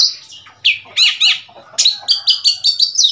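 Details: Wild Oriental magpie-robin at a cage in Thailand, 15 February 2021: slurred falling whistles, then a quick series of repeated bright chirping phrases.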